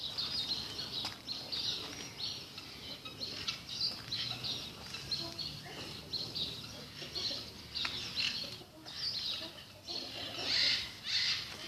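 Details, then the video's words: Sparrows in a bird park, many birds chirping together in a dense, continuous chatter of short, high chirps and tweets, with occasional soft wing flutters. "Парк птиц Воробьи"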